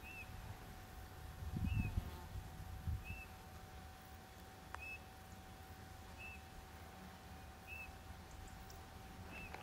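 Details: Eurasian bullfinch calling in the hottest hours of the day, recorded by digiscoping: a series of seven quiet, short downslurred whistles at fairly regular intervals of about one and a quarter seconds, with low rumbling noise and a steady hum.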